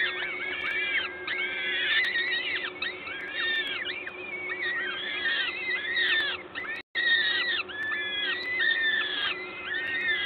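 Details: Peregrine falcons at a nest in Gdańsk, Poland, on 14 May 2022 at 11:07, calling while a parent feeds at the nest: dense, overlapping wheezy arched notes repeated rapidly. A brief dropout near seven seconds, and a steady low hum underneath.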